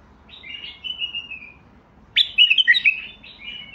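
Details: Basra bulbul: a sliding whistled phrase falls away, then an abrupt loud stretch of rich, rolling warbles follows.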